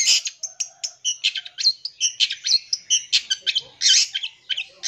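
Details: Long-tailed shrike song in full isian style, packed with varied phrases, played to provoke young birds; rapid high chirps and short whistled notes tumble in a dense, unbroken stream, with a faint lower note early on.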